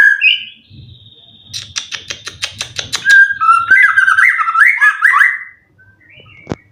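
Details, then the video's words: White-rumped shama, a caged contest bird with twelve wins and three moults, stated to sing full cililin material: a short whistle, a fast train of sharp clicks, then rising and falling warbled phrases, with a low hum behind. "Burung Murai prestasian udh kondisi 90% materi full clilin siap turun Lg!"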